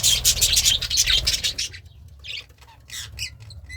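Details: Budgerigar kept as a pet, happily eating greens; dense raspy chatter for a second and a half, then sparse separate chirps and short squeaky notes.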